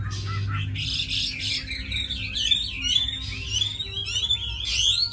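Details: Tame Chinese hwamei, described as a good singer and fighter, singing a continuous run of high, rapidly wavering whistles with harsh bursts at the start and looping phrases later.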